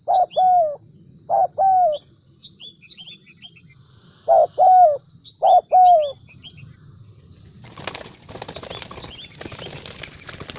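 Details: Central Highlands decoy spotted dove from Vietnam giving four coo pairs, short then long and gently falling, followed by a burst of rustling, crackling noise near the end; faint twittering of small birds behind.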